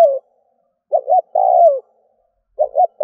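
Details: Lure call of a spotted dove: soft low coos in a pattern of two quick notes and one longer downward-sliding note, repeated with clear gaps, nothing else audible.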